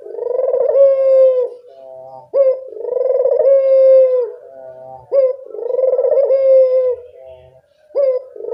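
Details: Energetic puter dove calling, meant to coax lazy doves into voice: long resonant coos repeated about every two and a half seconds, each opening with a short sharp note, holding a pulsing tone, then a softer tail.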